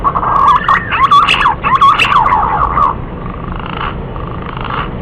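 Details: Hunting lure call of a green pigeon: about three seconds of jumbled, curling whistles and buzzy notes, then fainter drawn-out tones over a steady hiss.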